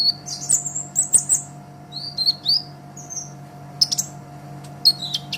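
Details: Olive-backed sunbird song meant as a training master: scattered short high chirps and a few thin drawn whistles separated by gaps, with a steady low hum in the background.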